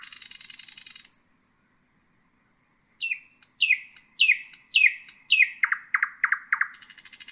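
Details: Nightingale song beginning with a buzzy high rattle, a pause, then a string of loud downslurred notes repeated roughly twice a second, dropping lower toward the end before another rattle starts.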